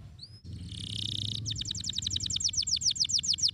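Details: Canary stimulating song to make a silent canary sing: two short upward whistles, a harsh hissing, rasping burst lasting about a second, then a fast, even trill of bright repeated notes that grows louder.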